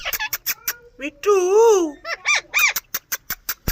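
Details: Indian ring-necked parakeet calling: a wavering, harmonic drawn-out note, then short harsh rising squawks, framed by rapid sharp clicking taps repeated several times a second.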